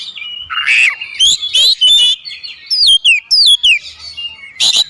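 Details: Oriental magpie-robin (kacer) in full isian song with calling tones: a mix of rising and falling whistled slurs, buzzy notes and clear upward sweeps, in short phrases with pauses.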